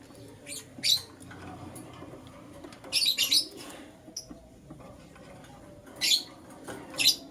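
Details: Morning chirps from a lutino lovebird, sparse sharp shrill notes in short clusters separated by quiet gaps of one to three seconds.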